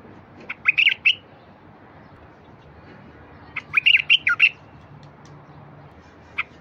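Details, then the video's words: Song of a bulbul, played to get quiet wild bulbuls singing: two bursts of quick, chattering, slightly harsh notes, the second longer, with a lone short note near the end and soft background noise. "تغريد لفتح البلابل الوحشية الساكتة"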